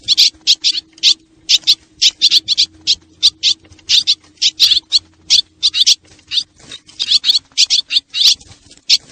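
Swallows twittering in quick, high chattering bursts, several per second with short pauses, over a faint low electrical hum.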